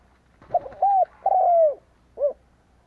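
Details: A decoy spotted dove cooing to attract wild doves. One clear phrase: a quick opening note, a smooth sustained coo, a longer rolling coo that fades down, then a soft short final note.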